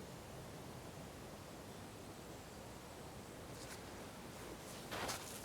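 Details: Steady broadband hiss of outdoor water and background noise, with a short brighter rushing burst near the end and no animal voice.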